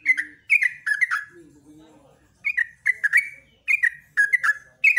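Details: Yellow-vented bulbul in busy morning song, repeating short gurgling phrases of slurred whistles at a rapid pace; after the first phrases a faint, low, drawn-out tone is heard before the lively notes return.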